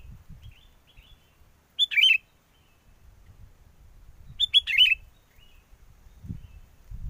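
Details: Lure song of a sooty-headed bulbul for bird trapping, in strong wind: two bright, bubbly phrases a few seconds apart over a low rumbling background.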